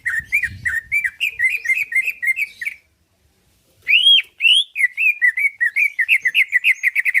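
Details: Greater green leafbird (cucak ijo) in constant song to make other birds reply and fight: rapid rolling whistled notes, a short silence, then a loud upward swoop and another quick run of chirps.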